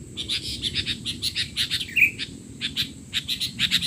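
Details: Sooty-headed bulbul calling excitedly as tutor material for young birds: an almost continuous string of short, evenly paced chirps with one brief slurred whistle midway, over a low rumbling background.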